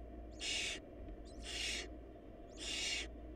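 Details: Barn owl nestlings in a nest with too little food, where the smallest chick died; harsh broadband hissing screeches, three bursts about one second apart, over a steady low hum.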